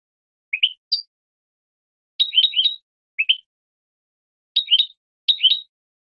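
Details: Sparse European goldfinch notes on a 2017 training recording for captive birds: short upslurred chirps, some in tight groups of two or three, separated by silent gaps of a second or more.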